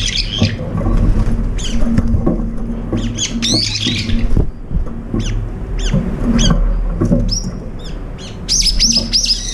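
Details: Brown-eared bulbuls, up to five gathering for a long-awaited breakfast, sharing food but also pecking and fighting over it: scattered harsh squawks and high, sharp chirps at irregular intervals over a steady low hum.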